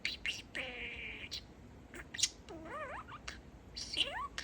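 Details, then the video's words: Talking budgerigar, a male pet bird: a held buzzy tone, then wavy warbled syllables that climb and dip, with scattered clicks and hissy bursts between them. "Talking Parakeet"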